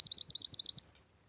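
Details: Quick chain of about six bright, high, upslurred whistles from a mantenan gunung bird, used as lure and training master song, ending abruptly into silence.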